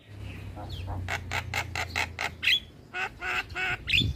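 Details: Javan myna delivering harsh, rasping notes repeated about four times a second, later interrupted by brief whistles, with a low hum underneath; recording made to stir other starlings to respond.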